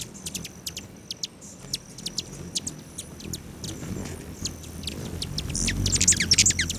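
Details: Hummingbirds at lodge feeders near Great Sand Dunes National Park, Colorado, July 29, 9:14 AM: rapid series of high, sharp chip notes, about three per second, growing denser and louder toward the end over a faint high buzz.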